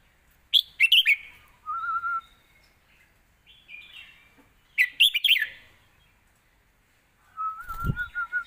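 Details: Red-whiskered bulbul in Thai point-scoring song style, sung for young birds to learn: two bursts of lively, bubbling chirps separated by quieter phrases, plus a steady thin whistle and a low thump near the end.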